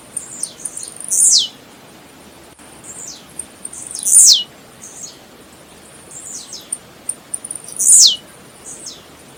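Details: Blue-black grassquit singing: high, buzzy phrases each ending in a loud falling sweep, repeated roughly every three and a half seconds, with quieter answering buzzes between.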